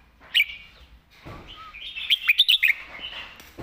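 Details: Red-whiskered bulbul kept as a competition bird, singing the 'master song' style with a thick, full voice: a short sharp note, then a rapid run of bright, liquid whistled notes, with faint background hiss.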